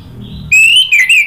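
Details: Orange-headed thrush, caged, as a lure for singing: a short, loud, sustained whistle wavering slightly in pitch, preceded by faint low hum.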